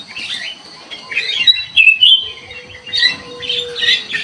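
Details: Lure recording of a Sooty-headed bulbul: quick clusters of chirping and slurred whistles, with a short pause near the middle before more bubbly bursts, and a faint steady tone in the background.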